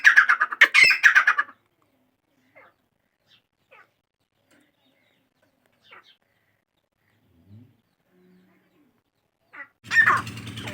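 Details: Grey francolin, called dakhni or jungli teetar: a loud, harsh, ringing burst of rapid notes over about a second and a half, then near silence with faint ticks, before another harsh outburst over a low hum at the end.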